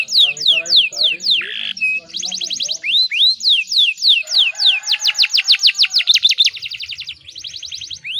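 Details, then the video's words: Canary song used to stimulate other canaries to sing: fast descending whistled sweeps, a short buzzy burst, then long runs of rapid rhythmic trilled notes, with faint lower chatter early on. "PANCINGAN KENARI BAHAN ISIAN ISTIMEWA"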